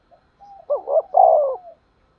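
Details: Lure-call coo of a spotted dove, as used for trapping with lime sticks: a soft lead-in note, then two rapid looping notes and a drawn-out descending coo, about one second long, in silence.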